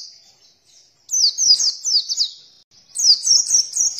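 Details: Oriental white-eye song played to coax birds into opening their beaks and singing; after a faint start, two bursts of shrill, quick, slurred twitters, each note bending up and down.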